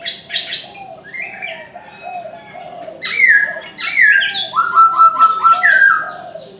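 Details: In the morning a Chinese francolin delivers a harsh, loud series of downward-hooked notes and a long flat grating note, over softer chirping of several other birds.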